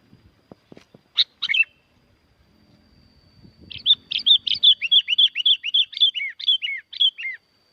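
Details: Sooty-headed bulbul (kutilang) from Curug Agung, Subang, West Java, Indonesia, singing loudly as a lure for bulbuls that stop singing: two brief chirps, then a lively run of about fifteen quick, bright, falling whistled notes, with faint taps early on.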